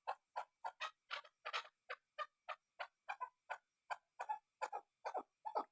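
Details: Chukar partridge (Alectoris chukar), tagged as female, gives a steady run of about twenty harsh, clucking chuk calls, roughly two or three per second, with nothing else heard.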